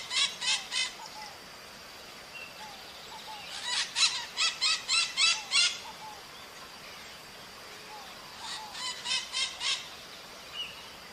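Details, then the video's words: Maritaca parrots calling in the wild: three separate runs of harsh, rhythmic squawks, the middle one longest, with soft whistles of other birds in the quiet stretches. "O CANTO DA MARITACA NA NATUREZA"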